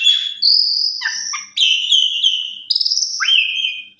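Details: Asian pied starling singing as a lure for other starlings: a continuous run of clear whistles, steady tones broken by quick rising and falling notes, ending in an upswept whistle, quiet background.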